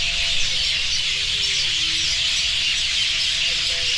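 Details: Many birds chirping together at a roost where their droppings have whitened the ground below. A dense, unbroken high-pitched chatter fills the whole recording at a steady level, with a few faint low tonal lines underneath.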